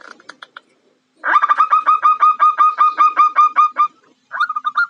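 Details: Calling female zebra dove trying to lure a male. A few faint notes, a pause, then a quick steady series of about fifteen sharp, ringing coos, and a short final phrase.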